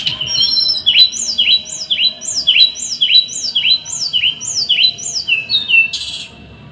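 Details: Small bird's masteran 'tembakan' song, dense and rough: about ten rapid swooping notes, each sliding sharply down then up, in a steady run lasting about five seconds, closing with a harsh burst.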